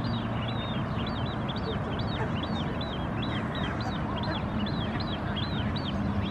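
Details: White wagtail foraging on the shore in Helsinki, Finland, in June 2016: a quick run of short, arched chirping notes, roughly three each second, over a steady low rumble.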